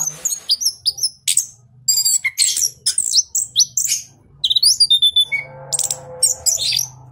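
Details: Orange-headed Thrush, a cage bird from a southern Malang breeder, singing gacor: fast high whistles and clipped chips in lively runs, a brief lower buzzy passage midway, then more sharp notes.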